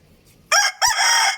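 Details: Brief crowing fragment from a young rooster, two loud raspy bursts separated by a short gap, the second held steady until the end.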